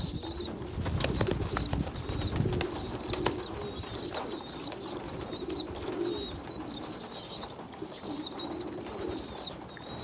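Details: Poorly developed young pigeon feeding bigger youngsters; wavering high whistles in short bursts over low coos, with rustling and knocking sounds early on.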